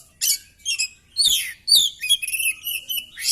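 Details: Fighting Oriental magpie-robin with its tail fanned pours out harsh buzzy bursts and rising-falling whistled slurs, closely packed, ending in a loud rasping note.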